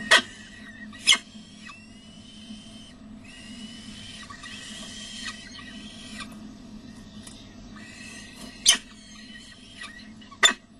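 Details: At a De Mortel peregrine falcon nest on 6 May 2009, 11:28, prey delivered by the male is fed out. Drawn-out high whining squeals run in clusters, broken by four loud sharp clicks, over a low steady hum.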